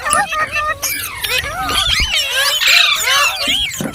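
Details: Ringneck parrot talking and singing: dense, rapid babble of squeaky syllables and looping whistled notes, loud and almost unbroken throughout.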